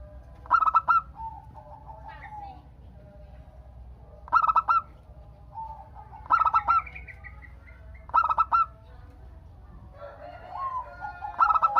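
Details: Local zebra dove sings to get other doves answering: short bursts of four or five clipped, ringing coos spaced unevenly several seconds apart, with fainter lower trilling notes in the gaps.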